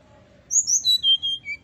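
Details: Brown-chested jungle flycatcher, song meant to make rival birds respond fast: five or six pure whistled notes sliding down the scale in quick succession, with a quiet murmur in the background.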